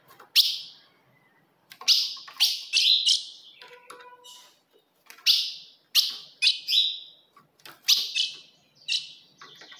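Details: Calls of a female ultramarine grosbeak, played to provoke a kept male: crisp, high chirps in quick groups of two to four, separated by short silences, clean and close.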